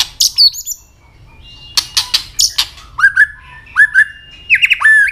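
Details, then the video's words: Fighting song of a white-rumped shama, with its tail flicking and clicking: a high twittering burst, a pause, a volley of sharp clicks, then repeated rising whistled notes in quick succession. "chòe lửa chuyền hót đấu nết đập tạch đuôi chắc,kích chòe lửa hót đấu chớm lửa"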